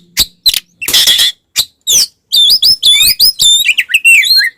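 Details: Oriental magpie-robin fighting song to rile other magpie-robins: a few short harsh bursts, then a fast run of bright, looping whistled notes.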